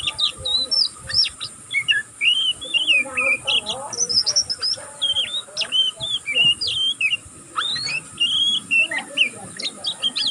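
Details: Oriental magpie-robin, a juvenile practising its song, twitters without pause: quick chains of thin, high, slurred whistles and clicks, with brief gaps, over a faint low hum.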